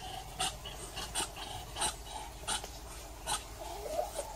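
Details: Muscovy duck giving breathy, hissing puffs, each a short broadband burst repeated about every half to one second, with a faint low hum in the background.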